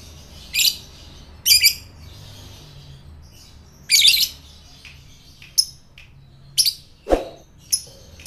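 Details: Lure calls of a fighter lovebird, meant to set other lovebirds chattering: scattered sharp high chirps, some doubled, spaced irregularly about a second apart, with one short lower rasping note near the end.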